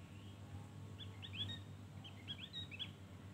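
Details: A ngeriwik-style full-fill song from a Javan grey-throated white-eye: short, bright, slurred chirps in two quick clusters against a constant low background hum.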